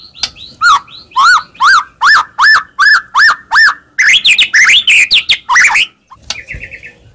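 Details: White-rumped shama song used as a lure to provoke a reply: loud series of rich, rising whistled notes repeated about twice a second, then a faster jumble of sweeping phrases and a brief pause.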